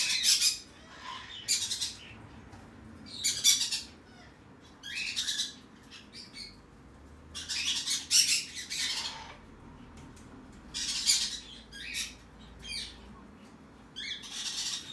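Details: A tame hand-raised green-cheeked conure chick in the red cheek pineapple colour, dated 11 November 2019, utters rough hissing squawks roughly every one to two seconds, each a brief raspy burst, some doubled, over a quiet background.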